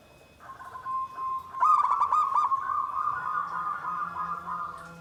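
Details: Zebra dove, gendowo sabdo nggandem guaring style, opening with a soft note, then a burst of rapid stuttered coos flowing into a long wavering coo, over a steady low background hum.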